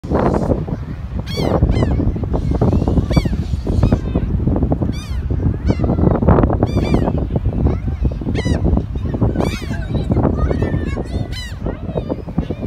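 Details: Seagulls at a beach: repeated loud, laughing, down-slurred squawks from several birds, over a heavy, constant roar of surf and wind.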